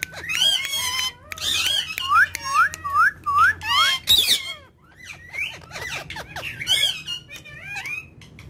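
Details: Three ringneck talking parrots: a burst of harsh squawks, then a quick run of five or six rising whistled notes, followed by scattered chirps, squeaks and chattering notes over a faint low hum.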